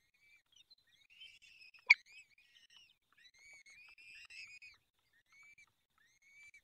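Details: At a peregrine falcon nest in the Barycz Valley, 23 April 2020 at 19:28, during feeding: soft wheezy harmonic calls, one sharp knock early on, then a louder stretch of drawn calls and two short faint whines.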